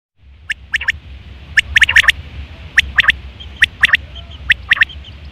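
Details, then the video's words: Quail calling in September 2023, a call used for hunting and mating: sharp three-note phrases, bright and clipped, repeated about once a second over a low steady hum. "Quail fresh sound sep 2023/ batair ki awaz"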